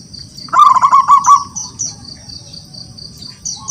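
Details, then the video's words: Wild local zebra dove singing actively, calling rivals to answer: one rolling phrase of quick, low, bubbling coos, about a second long. Steady high insect trills and chirps continue behind it. "Perkutut lokal alam gacor, suara memanggil lawan untuk bunyi"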